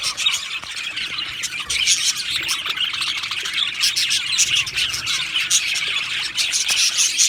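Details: Australian budgerigar colony in an aviary, a loud, dense chorus of high twittering chirps and scratchy warbling notes from many birds, continuous and overlapping throughout.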